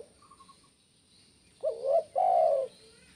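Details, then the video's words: Single kuk 1 phrase from a spotted dove: a quick rising double coo, then a long, loud, mellow coo. Faint high chirping is heard beforehand. "SUARA BURUNG TEKUKUR KUK 1"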